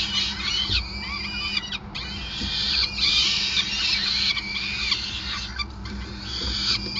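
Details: During a long feeding at a Groningen nest on 5 May 2020, peregrine falcons keep up harsh, thin, wavering cries in near-unbroken succession over a low drone.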